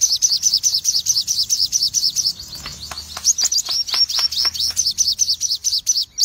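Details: Cremino red-eyed crimson sunbird pouring out a full tembakan ngobra song, a steady rattle of piercing high notes that pauses briefly midway, then resumes while dry ticking clicks sound behind it.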